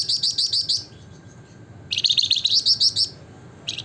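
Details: Javan fulvetta singing energetically: rapid strings of high, sharp, trilled chirps in bursts under a second long, a pause, then a longer fast rattling run of high notes, over a low rumbling background.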